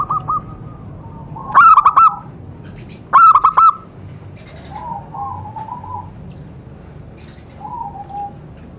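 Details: Singing wild local zebra dove at a homemade bird trap. Soft staccato cooing phrases come and go, broken by two loud, harsh chirping bursts early on.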